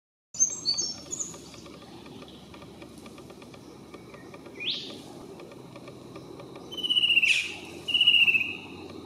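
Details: Fan-tailed Cuckoo calling from a treetop on the North Coast of New South Wales, Australia: two high, sustained trilled notes near the end, preceded by scattered thin chirps from other birds and a soft rustling background.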